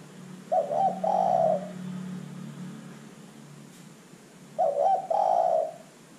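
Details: Spotted dove used as a lure to draw calls from other birds; two low cooing phrases roughly four seconds apart, each a clipped lead-in and a sustained rolling coo, with a low hum and quiet gaps between.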